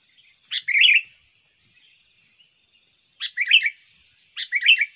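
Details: Sooty-headed bulbul song used as a lure for wild birds and as a tutor for training birds: three short bubbly, chirpy phrases, each a quick burst of a sharp note then warbled notes, spaced one to three seconds apart, no other sounds.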